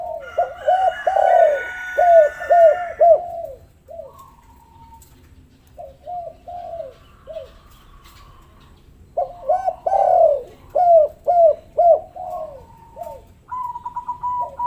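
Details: Spotted dove lure calls to get lazy doves calling: two long runs of rapid arched coos at about two per second, separated by sparse quieter notes, with faint higher tonal sounds.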